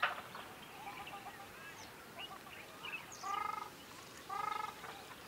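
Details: Ruddy Shelduck on the river marsh at Aoulouz Gorge, Morocco, giving two loud, nasal, goose-like honks about a second apart, after fainter calls and a low background of river noise.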